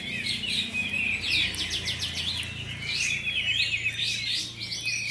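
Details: At a Bonjol, Pasaman Timur song contest, kapas tembak bulbuls deliver bright, high rapid warbling, with repeated rising sweeps and stuttering note bursts packed together, over a faint low rumble.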